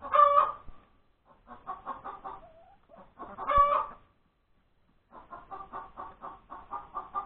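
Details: Hen cackling after laying an egg, Sunday, January 31, 2021, breakfast time. Two loud, ringing squawks about three seconds apart, each followed by bursts of rapid clucks, with a short whining note between them.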